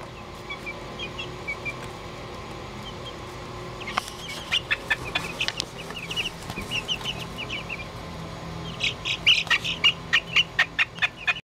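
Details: Barred Plymouth Rock chicks, two weeks old, kept in a brooder: thin high peeps, sparse at first, then busy bursts of rapid cheeping, mixed with scratchy rustling and clicks over a steady low hum.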